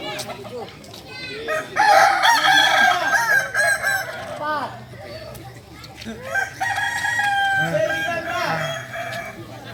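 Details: Kukuak Balenggek cocks, the singing chicken native to Solok, trained for crowing contests. Drawn-out crows dissolve into chains of short looping syllables, with overlapping crowing from other birds throughout.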